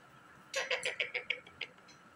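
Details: A parrot talking to its reflection in a mirror gives a quick run of about seven harsh, raspy chattering notes in just over a second, over a faint steady hum.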